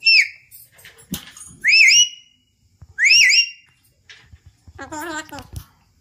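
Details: Pet Alexandrine parakeet indoors, kept and taught to say "Har Har Mahadev": three loud, shrill whistled notes rising then falling, spaced about 1.5 seconds apart, then a nasal, buzzy voiced phrase near the end in a quiet room.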